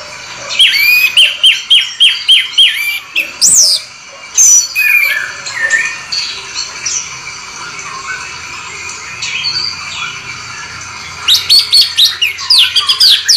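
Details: Orange-headed thrush, a rolling song: rapid series of descending whistled notes, then a long stretch of varied scratchy and mimicked phrases, ending in fast bursts of high chips; heard indoors.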